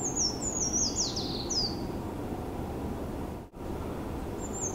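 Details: Eurasian treecreeper singing in a university research forest at Tomakomai, Hokkaido, its song at first mistaken for a white-eye's: a thin, very high descending series falling into a brief trill, then a second phrase, over low rumble.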